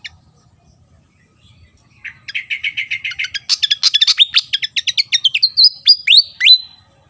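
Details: Javan fantail song from Java: a stuttering train of short notes that speeds up and rises into fast, jumbled twittering, ending in a few drawn-out sweeping whistles.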